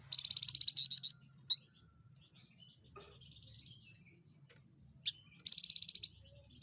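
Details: Javan fulvetta, a small insect-eating bird with a loud voice. It gives rapid, high, buzzy trilled bursts: two at the start, then scattered single chips, then another dense trill near the end. Faint low rumble underneath.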